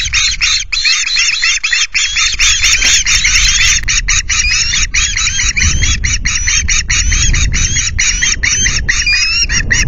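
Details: Ospreys on their Loch Garten nest on 9 August at 09:00 screech to chase away an intruding osprey: long bout of urgent harsh repeated calls, with gusts of wind rumbling below.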